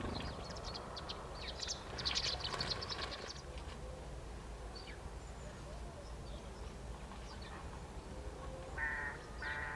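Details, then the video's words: Female house sparrows in conflict at daybreak on 5 December, in autumn countryside of the Limousin, France, chirp in quick, scratchy bursts for the first few seconds, then fall quieter; two harsher calls near the end over a low background rumble. "MOINEAU Domestique/Femelles en Conflit"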